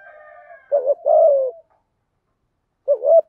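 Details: Decoy spotted dove kept captive to attract wild doves, giving a soft drawn-out note, then a double coo ending in a long sliding-down tone, and a final short phrase after a quiet gap.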